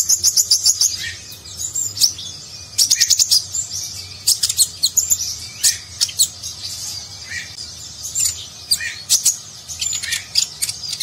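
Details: Konin or purple-throated sunbird, a nectar-feeding bird with a varied song, in nagen style for contest-bird training. Long run of fast high chips and buzzy trills, with lower downslurred notes between bursts.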